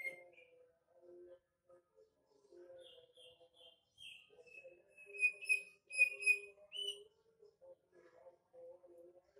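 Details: A captive female greater green leafbird, ready for breeding, sings short, clear whistled phrases of slurred high notes, loudest in the middle, over soft, low background chattering.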